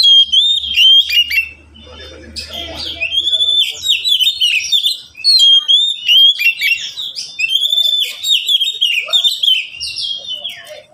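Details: Oriental magpie-robin in a cage, with three pet birds trading song, giving long bursts of loud whistled phrases, rapid chirps and trills nearly without break, a low hum at the start.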